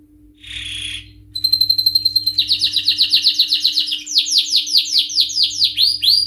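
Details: A male canary sings a fast, high rolling song: a brief buzzy note, then rapid repeated chirps and sweeping trills, about four per second, over a faint steady hum.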